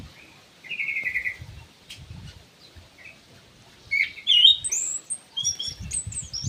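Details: Ground thrush in an aviary: a single drawn-out whistle, a quiet gap with faint thuds, then a burst of quick, twittering high notes near the end.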